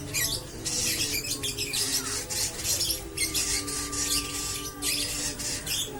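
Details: Lovebird singing in the koslet style with long ngekek chatter: dense, rapid, high-pitched chattering bursts that run almost without pause, with steady low tonal hum lines underneath.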